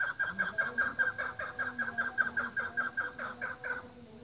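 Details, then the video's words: Chukar partridge on a breeding farm giving a fast series of short, harsh clucking notes, about two to three per second, steady and rhythmic throughout, with low background hum. "Chakor breading farm"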